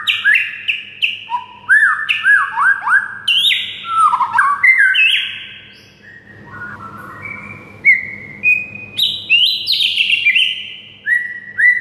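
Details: White-rumped shama singing as a model for a mute shama: varied whistled phrases rich in downward slurs, a lower quieter stretch midway, then rising high whistles again.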